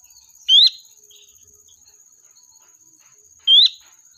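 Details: Sooty-headed bulbul lure call for summoning its flock: two quick upward-sweeping whistles three seconds apart against a steady shrill insect hum.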